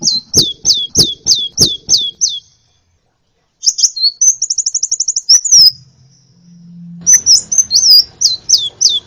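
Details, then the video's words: Sunbird (kolibri ninja) song for training birds: repeated high hooked notes with sharp clicks, a pause, a rapid buzzy trill, then more twittering notes over a low hum and background noise. "masteran burung gacoan, Kolibri"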